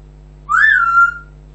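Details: Single loud, pure whistle from a pet African grey parrot, rising briefly and then sliding down into a held note lasting under a second, with a faint background hum.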